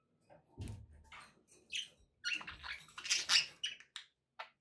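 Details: Budgerigars kept as pets chirp and chatter, rapid raspy notes building to a louder burst of squeaky warbling, with a soft thump early on.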